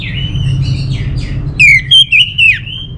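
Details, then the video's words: Orange-headed thrush singing: soft, quieter warbled phrases first, then a loud, clear whistled phrase of fluting notes sliding up and down, with a low background hum throughout. "Suara ANIS MERAH Ini"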